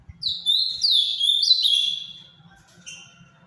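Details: Ultramarine grosbeak, called azulão do Paraná, giving a short song of three or four downward-sliding clear whistles strung together over under two seconds, with a faint trailing note after.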